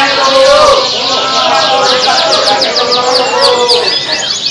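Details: A small-bodied competition canary called "Ali Topan", at the Laster Cup I contest, pours out a long, fast, rolling song of high trills and warbles, overlapping other canaries, with a man talking underneath.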